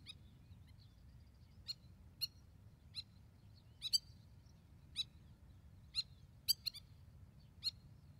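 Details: Spur-winged lapwing with its young in Israel, a parent that defends chicks aggressively. Sharp, piercing single calls ring out roughly every half to one second, some doubled, against a quiet background with faint low outdoor hum.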